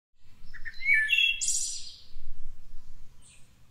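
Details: A Wood Thrush near Cincinnati, Ohio, sings one flutelike phrase that climbs into a high, shimmering trill, followed by a faint high note, over a low background rumble.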